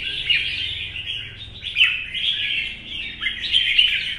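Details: Morning-sun competition singing by a caged, wild-caught mature red-whiskered bulbul: bright chattering warbles broken by quick downward slurs, with louder peaks about every second or two.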